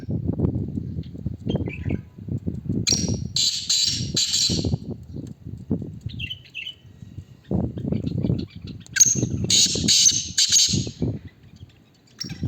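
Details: Black francolin in a calling contest (teetar muqabla) gives two loud, harsh, grating call phrases about six seconds apart, over a steady low rumble of background noise.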